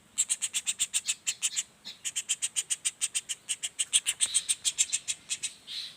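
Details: Juvenile common flameback chattering in a quick series of scratchy, high-pitched notes about three to four per second. One brief pause falls near two seconds, and a soft rustle comes at the end.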